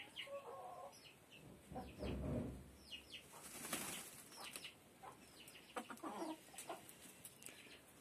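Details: Laying hens in their coop: a few soft, low clucking notes, a loud burst of wing flapping, and thin high chirps from other small birds in the background.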